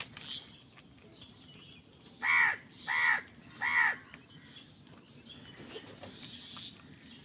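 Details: Crow fighting for food gives three loud, hoarse caws about three-quarters of a second apart. Quiet background noise surrounds them, with faint chirps.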